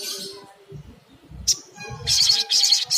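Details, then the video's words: Little spiderhunter, played as a lure to encourage calling, giving bursts of rapid high chattering notes after a single sharp chip. Faint low background rumble. "Bikin SOGON cepat bunyi gacor - SOGOK ONTONG"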